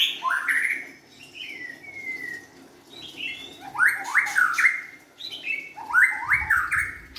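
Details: White-rumped shama, a young forest-caught bird, giving whistled phrases: a rising opening, a long level whistle, then two bursts of quick rising notes separated by short pauses.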